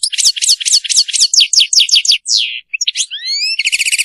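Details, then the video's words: Serfati-style song of a European goldfinch: a quick series of high, downward-slurred notes about four per second, then brief twitters and a sustained buzzy, nasal ending. "تغريد رائع للحسون ملك الطيور المغردة تغريد السرفاتي"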